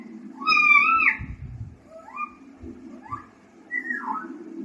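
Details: Young pet parrot, ringneck or Alexandrine, learning to talk indoors: a drawn-out harmonic whistled call, then three shorter rising notes, over a steady low hum and some soft thumps.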